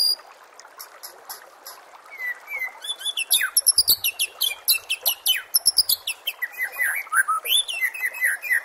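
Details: White-rumped shama song used as masteran training sound for contest birds: a rich, rapid stream of high whistles, sharp chips and fast trills, building in intensity, over a steady hiss of background noise.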